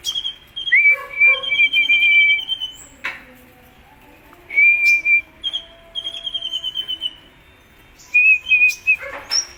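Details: Kolibri ninja in lively song: bursts of clear high whistled phrases, a wavering note sliding down to a steadier tone, repeated about every three to four seconds with quiet gaps between.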